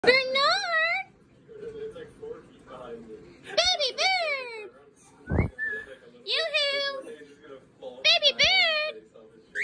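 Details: A lutino cockatiel gives bright, harmonic whistled calls that swoop upward and bend down, repeated in short bursts.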